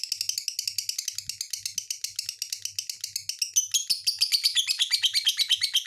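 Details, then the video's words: Lovebird chattering rapidly, with dense high twittering and rasping chirps that grow louder and more varied toward the end, delivered in a continuous rattling stream. "SUARA BURUNG LOVE BIRD"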